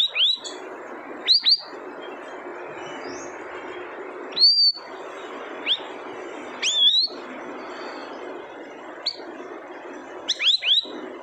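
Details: Siri-siri bird giving sharp, high, downslurred whistled notes, single or in quick clusters of two to three, spaced every one to three seconds over a steady hissing background.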